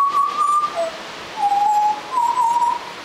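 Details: Baby Australian butcherbird learning to sing, producing clear flute-like whistles: a long level note, a brief lower one, then two more sustained pure tones, slightly wavering, with steady background hiss.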